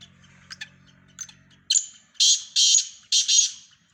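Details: Sindhi black francolin calling within a mix of several birds: soft clicks and a low hum give way to four loud, rasping, grating notes in quick succession.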